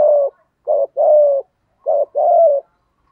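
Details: Spotted dove cooing in the thổ voice (thổ cục đình), loud and close, with a brief note followed by a sustained, level-to-falling coo. Two such phrases come in quick succession with short gaps.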